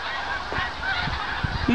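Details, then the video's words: Flock of hundreds of thousands of snow geese flying low overhead on a morning in autumn at Farnham, Quebec, heading south from the Arctic and seeking feeding fields: a dense overlapping chorus of nasal honks and yelps with no clear rhythm. "Snow geese over house. Oies blanches des neiges"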